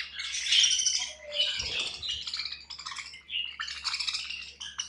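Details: Budgerigars at feeding time, several birds chirping together in a dense, continuous chatter of high warbled and squeaky notes, with a brief low thump midway.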